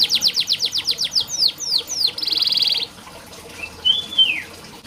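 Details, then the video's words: Canary song for training a bird that is slow to sing: a train of rapid descending whistled sweeps, a few longer swoops, a dense buzzy trill, then a pause and one soft rising-falling whistle. "Burung KENARI malas bunyi Terapi untuk burung kenari masteran canary"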